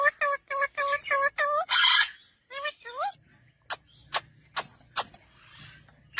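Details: Parrot chick beside a parent gives five quick, harsh, nasal calls, then a rough noisy burst and two rising squawks, followed by sharp clicks over a low steady hum.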